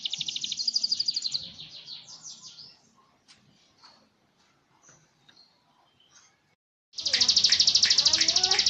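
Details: Yorkshire canary rolling song: a dense high trill that fades into scattered faint notes and near silence, then a sudden loud, rapid, buzzy roll returns at the end.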